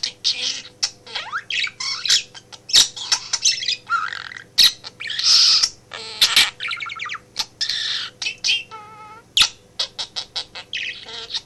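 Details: Talking male pet budgerigar in a home office, keeping its working owner company; long run of rasping warbles, clicks and whistled slides, one clear ringing tonal trill, delivered in quick succession.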